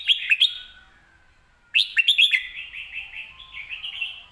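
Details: Red-whiskered bulbul delivering a clear, fast song with good phrasing: a few sharp opening notes, a pause, then a loud, bubbling run of warbled, slightly descending notes lasting over two seconds.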